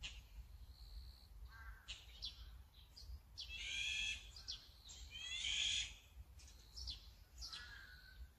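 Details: Azure-winged magpie gives two loud, drawn-out rasping calls with a nasal, harmonic quality, surrounded by softer short notes and a brief falling whistle.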